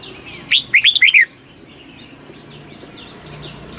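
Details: Red-whiskered bulbul, fast 'kích bổi' song: one rapid phrase of five bright, bouncing whistled notes, then quiet with faint distant twitters.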